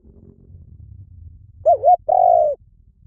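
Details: Spotted dove calling: one low, mellow coo phrase made of a quick wavering two-part note followed by a longer, slightly falling coo, over a quiet low rumble.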